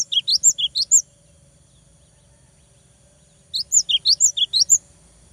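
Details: Cinereous tit singing in two phrases of rapid, high chirps, each a string of about six to eight sharp up-and-down slurred notes, with a long quiet gap between them.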